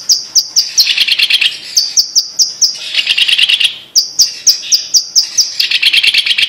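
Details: Singing blue-masked leafbird from Sumatra, Indonesia, alternating runs of high, evenly spaced piercing notes with dense buzzy chattering trills, the pattern repeated three times.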